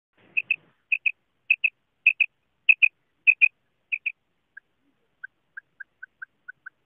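A female common quail gives sharp, high paired notes about every half second, then a run of softer, lower single notes. No other sounds are heard.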